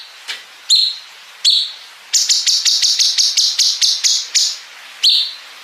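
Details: {'caption': 'Bulbul training song for contest birds: a few isolated high chirps, then a rapid string of about ten clipped buzzy notes repeated quickly, and a final chirp.'}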